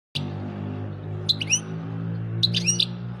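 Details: European goldfinch twittering: two short clusters of bright, high chirps and quick upslurred notes about a second apart, heard over a loud steady low hum and background noise.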